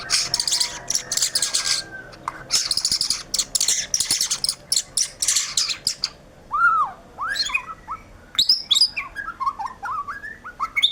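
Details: Gacor song of a white-rumped shama. It opens with six seconds of harsh, buzzy, scratchy chatter, then turns to clear whistled notes that swoop up and down in short arcs, with brief high chips.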